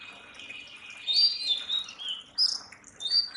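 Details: Oriental magpie-robin, national bird of Bangladesh: a few clear high whistled phrases, some slurred and falling, separated by short pauses over a quiet background.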